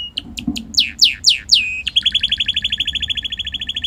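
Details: Hand-tame red canary singing cheerfully outdoors in a garden: a few sharp notes, then a run of loud descending slurred whistles, followed by a fast even trill of rapid repeated high notes, about four per second.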